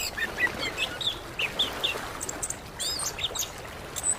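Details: Orange-headed thrush, known in Indonesia as anis kembang, used to coax a silent bird into song: a series of short, clear whistled notes and slurs at irregular intervals, with high faint chirps and background noise.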